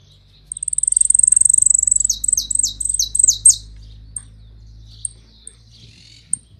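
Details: Hooded siskins from Argentina in song: a long, high, sweet twittering trill leading into repeated fast down-slurred notes, followed by isolated thin chirps over a low steady hum.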